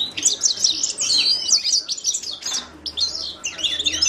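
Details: A Himalayan goldfinch sings in quick bursts of high, tinkling and buzzy chirps, broken by a short gap before the twittering resumes.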